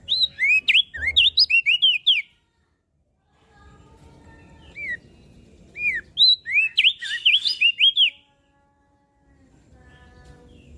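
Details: Mountain leaf warbler in full song, used for luring and tutoring: two bursts of rapid, high, up-and-down slurred whistles, each about two seconds of some ten notes, separated by a pause with faint low hum.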